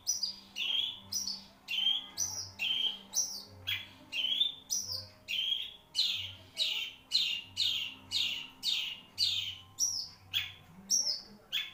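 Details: Long-tailed shrike, a kept songbird praised for singing at great length, gives a steady run of sharp, high downslurred notes, roughly two per second, with a faint low hum beneath.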